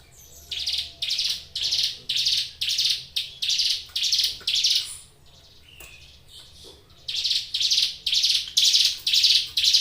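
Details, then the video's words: Kept ciblek gunung prinia gives a long series of rasping, buzzy notes at roughly two per second, breaks briefly amid soft clicks, then resumes the same harsh rhythm. "suara ciblek gunung gacor"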